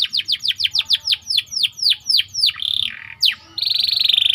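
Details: White canary in rolling song, a model for training other canaries; a run of about a dozen rapid descending whistled notes, a short buzzy trill, then a fast high rattling roll.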